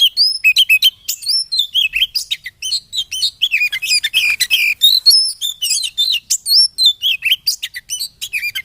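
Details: White-rumped shama song used to provoke caged birds into singing: a fast, varied stream of sharp whistled and chirped notes, many sliding up or down, about four per second without pause; quiet background.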